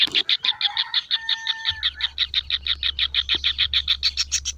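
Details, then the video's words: Kingfisher chick gives a steady stream of short, high, sharp chirps, about five a second, over a low constant hum. "suara anakan burung tengkek udang"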